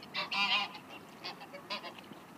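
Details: Mute swan at the Blaues Wunder bridge in Dresden, 27 October 2016 at 17:49: one loud, nasal, harmonic honk, then two shorter, fainter honks about a second later, over a soft background hum.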